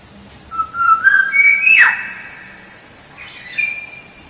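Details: Black-naped oriole song used as a lure, a mellow whistled phrase stepping upward in pitch, broken by a harsh falling rasp, then a short sustained whistle after a pause.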